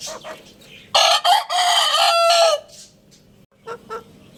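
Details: Rooster, a Lohmann Brown, crowing: one loud harmonic cock-a-doodle-doo of about one and a half seconds, opening with two short notes and ending in a long held note, followed by a few faint clucks.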